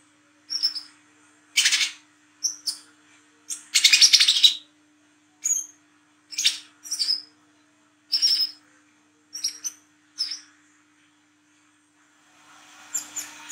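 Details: Olive-backed sunbird singing at night in the energetic 'wiceh trotol' style with 'ngriwik' twittering: high thin chirps and short whistled notes alternate with harsh buzzy bursts, in irregular phrases about every second. A faint steady hum sits beneath.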